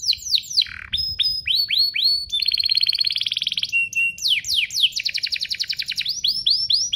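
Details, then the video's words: Energetic canary pair singing as a tutor recording for young birds; dense, varied phrases of falling sweeps, rising whistles and rapid pulsed trills follow each other with almost no pause. "Kompilasi DUO GACOR, cocok untuk pancingan kenari biar gacor, masteran kenari paud"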